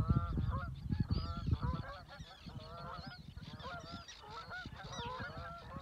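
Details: Canada geese flying over the water at Reveln, Stornäset, Alnö, Sweden, on 7 August 2022, leaving to migrate south. Many overlapping honking calls from the flock, with low rumbling noise strong in the first two seconds.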